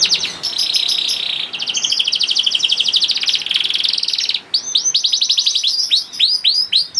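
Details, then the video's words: Lure song of a juvenile canary for getting other canaries singing: rattling buzzy rolls for several seconds, then clear looping down-slurred whistles repeated in quick succession. "PANCINGAN KENARI PAUD TERBUKTI AMPUH MEMANCING KENARI SUSAH BUNYI IKUT GACOR"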